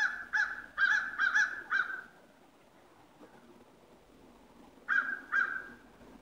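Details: Sunrise calling by ravens on 22 November 2016 while at play: a rapid run of five rough, grating calls within two seconds, a pause of nearly three seconds, then two more harsh calls, with faint low hum between.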